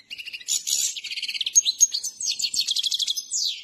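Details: Himalayan goldfinch in training gives a dense twittering song of rapid trills, buzzy rattles and a few clear slurred whistles, delivered without pause for nearly four seconds.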